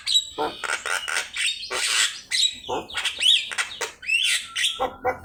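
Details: Energetic Javan myna singing on a training master: harsh, broad squawks in a choppy series, interspersed with twisting whistled slurs and crisp clicks.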